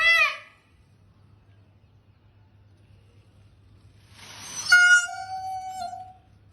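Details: An Indian peafowl (peacock) gives two loud, nasal, trumpeting cries: a short one at the start, then a longer wailing one about four seconds later, over a faint low hum.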